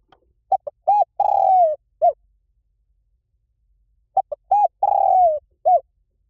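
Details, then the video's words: Spotted dove, 'liu tan' song type, played back to coax a trained dove into answering. Two identical phrases, each with short pip-like notes, a rounded coo, a long buzzing coo sliding lower, and a brief ending note. "สำหรับเปิดล่อนกเขาใหญ่ฝึกต่อ ให้ขันโต้ตามเสียงนกเขาใหญ่หลิ่วตัน"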